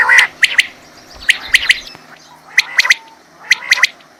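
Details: Common quail call used to lure quail for hunting: loud, sharp chirping bursts in quick clusters of two or three notes, repeated about every second, against a faint steady hum.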